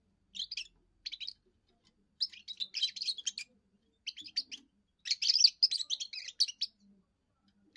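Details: Young European goldfinch in first song, declaring territory and courting females: a few short high twitters, then longer fast runs of sparkling, chattering notes with brief pauses between them.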